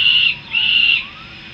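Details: Two strained, whining calls from young peregrine falcons returning to the nest in Harrisburg, USA: a short one followed by a longer, level one, then quiet background.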